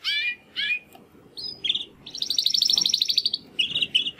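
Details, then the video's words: Caged young male Timbrado canary, one of two brothers, trying to sing after its first molt: two short chirps, a thin whistle, then a long rapid pulsed trill and a few buzzy phrases over faint room noise. "Two Canaries Brothers - Canary training song"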